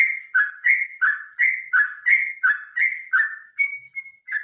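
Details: Sooty-headed bulbul singing a long, spirited fighting song: mellow, bubbling notes that fall then rise, delivered in a rapid regular series, closing with a couple of thin, level whistles before the pattern resumes.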